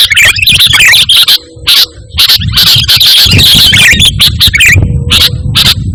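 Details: Indonesian sooty-headed bulbul in full chatty song with no mimicry, used as a calling and tutoring recording for pet birds; nearly continuous bubbling chirps and twittered phrases, with one short lull near the start.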